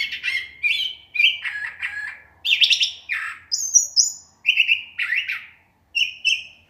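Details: At nightfall a curve-billed thrasher sings a lively stream of varied phrases, burry warbles, clear whistles and chirps, each short phrase repeated or changed, separated by brief pauses; no other clear sounds.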